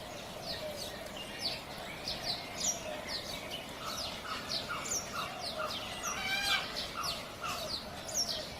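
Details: A flock of wild cockatiels in Australia calling, with many short rising chirps and whistles overlapping continuously.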